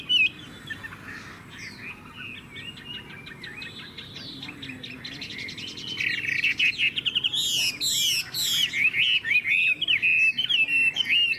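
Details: Caged Chinese hwamei, quiet and scattered whistles at first, then bursting into loud, fast, varied song with sweeping high notes and rolling trills in the second half.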